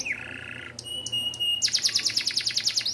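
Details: Small standard canary singing as a tutor for young canaries: a low steady buzzy phrase, a few sharp clicks over a thin high whistle, then a rapid pulsing trill.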